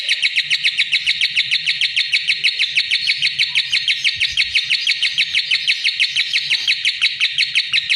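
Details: Lovebird singing: a long, fast, steady run of high chattering chirps, evenly pulsed several times a second, loud and continuous throughout with no other clear sounds.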